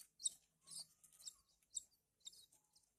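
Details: Shrill, hissy chirps from Horsfield's bush lark chicks during hand-feeding, roughly two per second in uneven bursts, with a faint steady low hum.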